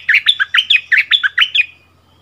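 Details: Bulbul decoy bird returned to its former territory, dueling in song with a new resident bird on 3 February 2021: a loud, quick series of short rising and falling whistled notes, about eight in under two seconds.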